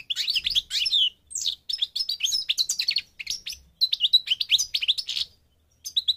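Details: A Moroccan goldfinch of the North African parva subspecies sings almost continuously, with quick chirps, slurred whistles and short buzzy trills tumbling together in a lively, jingling warble.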